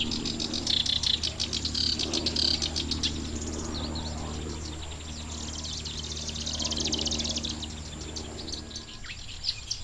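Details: Black-browed reed warbler singing in vast reed beds at Watarase retention basin in June, probably breeding there: a fast, chattering, nearly continuous stream of high, scratchy chirps and trills over a steady low hum.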